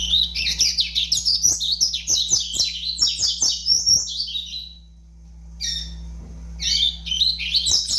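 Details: A five-month-old young double-collared seedeater delivers rapid, high chirping phrases of twittered, down-slurred notes. The song breaks off for about a second, then resumes in shorter bursts over a constant low hum.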